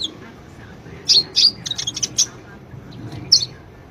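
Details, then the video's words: High sunbird chirps used as a singing lure for a quiet bird: a few bright, sharp notes with softer twitters between them, then silence and one final chirp. "Pancingan Ampuh,buat Kolibri yang malas bunyi"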